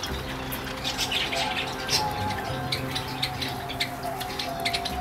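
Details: A flock of Java sparrows kept in an aviary at Sagamihara Asamizo Park, Japan, living at winter outdoor temperatures, gives short, high chips and tweets in quick, irregular bursts over a steady low hum, possibly faint music.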